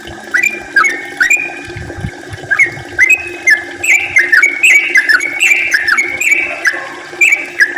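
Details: Yellow-vented bulbul song used as a lure to make other bulbuls sing actively: bubbly whistled phrases around mid-high pitch, repeated rapidly in a long run, with faint low rumbling and scattered high chirps of other birds.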